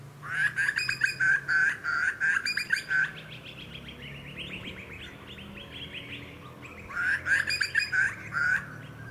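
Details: Juvenile grey butcherbird on the Sunshine Coast, Queensland, in August 2020, giving bursts of rapid, harsh, clipped notes, then a softer run of descending chirps, and finally another burst of quick repeated notes.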